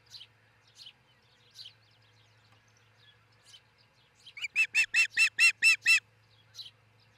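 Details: Osprey couple nesting in Charlo, Montana, filmed by nest cam in the early hours of 22 June 2018; a few spaced high chirps lead into a loud run of about nine quick, ringing, harmonic cheeps, then quiet.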